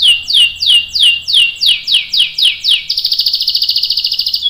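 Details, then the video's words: Long-rolling canary song used as a prompt for other canaries: about ten loud descending swept whistles at a steady pace, followed by a rapid high buzzy roll. "KENARI GACOR NGEROL panjang bagus untuk PANCINGAN dan MASTERAN biar ikut BUNYI | CANARY SINGING"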